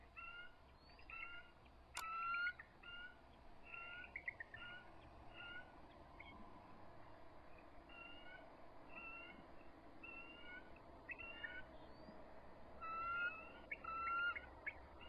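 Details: Both resident eagles at their nest at dusk on March 23, 2014, lowering their bodies and trilling as an adult intruder approaches. A long run of short, evenly repeated whistled notes forms a chittering series, with louder bursts near the start and end.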